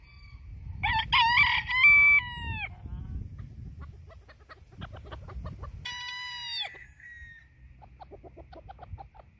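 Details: Phoenix bantam rooster crowing twice, each a harsh, strained, drawn-out crow lasting about a second and a half, with soft clucking notes between them.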